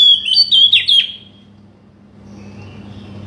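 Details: Oriental magpie-robin song used to coax a bird that has gone quiet into singing: one second of quick, bright whistled slurs, three linked phrases, then near silence with a faint low hum.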